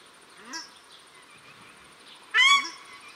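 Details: Paradise shelducks, male and female, in Cornwall Park, Auckland, New Zealand; a soft low call is followed by one loud harsh honk.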